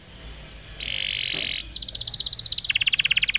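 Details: Canary song used as a tutor recording for young canaries: a brief high whistle, then a steady buzzy trill held for about a second, followed by rapid bright repeated notes that drop to a lower rattling roll.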